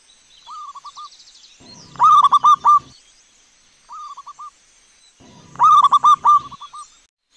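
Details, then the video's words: A wild local zebra dove, recorded as a lure to provoke other doves into singing, gives loud, rapid, rolling phrases of short mid-pitched cooing notes, with softer answering phrases roughly every three seconds. "LANGSUNG NYAUT dan BUNYI dengan pancingan PERKUTUT GACOR"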